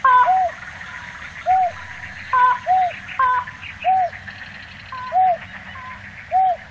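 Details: In Tainan City, Taiwan, on 9 December 2019, a slaty-legged crake mixes soft, low, dome-shaped notes with sharper nasal, harmonic notes in an irregular rhythm of roughly one per second, over a faint hiss.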